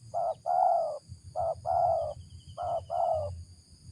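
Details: Spotted dove (tekukur) with a deep 'ngeruk' voice considered suitable as a decoy: three clear pairs of low, hoarse coos, each a short note followed by a longer one, about once a second.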